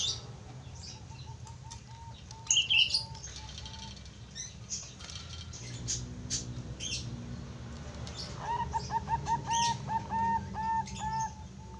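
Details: Young Bangkok zebra dove with a fine, deep voice suited for tutoring. A soft run of short coos opens the recording. After a pause with rustling and faint chirps, a louder, rhythmic burst of staccato cooing notes follows.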